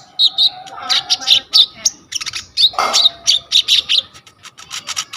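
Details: Coconut lorikeet, known locally as konin, singing a full, varied song meant for tutoring kolibri ninja birds, captured on a vivo Y21 phone: dense high chirps and squeaky whistles, a few harsh rasping notes, faint low background hum.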